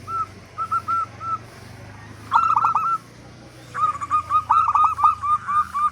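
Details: Local zebra dove with a big voice, used as a lure to get other doves calling: short runs of clipped, hollow cooing notes, a few quiet, then louder overlapping bursts at about four notes a second, over a low hum.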